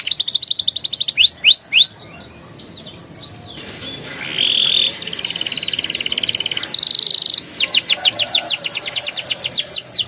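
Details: Canary song meant to prompt young canaries to sing: quick high whistled sweeps, a stretch of mixed chattering trills with a buzzy note, then a long rapid roll of repeated high notes.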